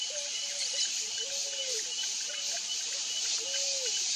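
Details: Picazuro pigeon singing softly behind a loud, constant shrill chorus of insects: low coos, short notes and a longer drawn coo, then another drawn coo near the end.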